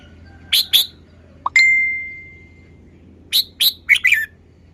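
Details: Red-whiskered bulbul kept in a cage performing its song style: two sharp notes, a brief rising chirp into a long steady whistle that fades, then a quick run of four bright warbled notes.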